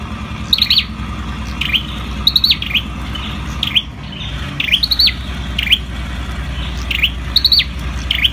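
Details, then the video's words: Ashy tailorbird song (sâu đầu đỏ): series of sharp high stuttered notes each ending in a falling-then-rising whistle, repeated at a quick irregular pace over a low droning background. "Sâu đầu đỏ đá tay. Bird singing Orthotomus sepium"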